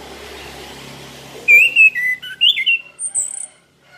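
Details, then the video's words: Orange-headed thrush song used as a lure: quiet background hiss, then a quick run of clear whistled notes, some slurred and rising, ending on a few very high thin notes. "pancingan anis kembang gacor 100% langsung nyamber"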